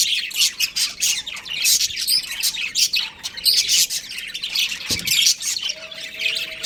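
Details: Domestic budgerigars, a breeding pair, warbling and chirping. Fast, grating chatter mixed with thin whistles, delivered in uneven bursts, with a short tonal whistle near the end.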